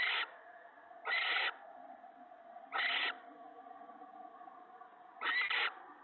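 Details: Owl family at a nest in the evening of March 19, the male delivering mice and a rabbit to the female and owlets: four harsh, breathy hissing screeches spaced one to two seconds apart over a constant low hum.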